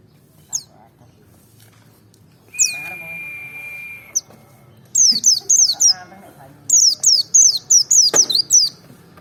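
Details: Merapi-type white-eye, double ngalas provocation song: after a single note and a long steady whistled tone, rapid series of high falling whistles follow, with a sharp click near the end.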